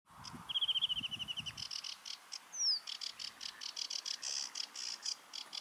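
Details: Sedge warbler song: a fast, continuous chatter of repeated harsh, buzzy notes with a brief run of rising whistled notes early on and one sweeping note midway, over steady background hiss.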